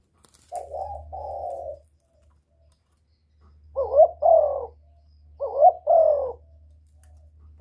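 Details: Spotted dove calling to stimulate birds: two soft, flat coos, a pause, then two pairs of sharper, bending coos, each a quick rising note running into a longer falling one, over a faint low hum.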